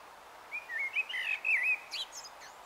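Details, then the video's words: Common blackbird warbling its evening song at dusk in Taunton, Somerset, 21 March 2018 around 18:12: a fluted, wavering phrase of linked whistles climbing and dipping, ending in higher thin twittering notes, over quiet background. "BLACKBIRD @ DUSK EVESONG"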